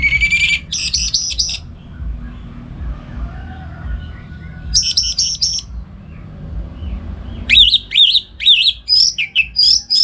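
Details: Morning song of a caged orange-headed thrush from Singaraja, North Bali, played to train other songbirds: short bursts of sharp high buzzy notes separated by quiet pauses, ending in a busy run of quick whistled chirps.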